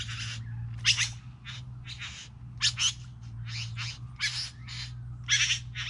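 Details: Three bowerbirds giving harsh, hissing, rasping bursts of irregular length, some short and some drawn out, a few with clearer tonal notes, over a steady low electrical hum.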